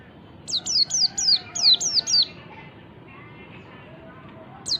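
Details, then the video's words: Lure song of a forest-type white-eye, played to stir other white-eyes into song: a run of seven rapid, high, falling whistled notes over about two seconds, then quiet, with one more downslurred note at the end. "pancingan pleci ngalas memancing bunyi pleci"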